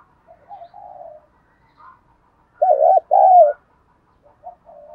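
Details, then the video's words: Spotted dove cooing to stimulate decoy birds, noted for its good voice: soft mellow coos lead into a loud pair of wavering, looping coo notes, then faint short coos trailing off. "chim cu gáy kích bổi nhanh nổi mỗi ngày, giọng hay"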